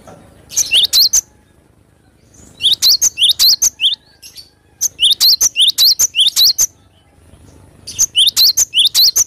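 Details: Cinereous tit (glatik batu) singing vigorously (gacor) outdoors, four phrases of rapid, bright, high two-part notes repeated in short series with pauses between them.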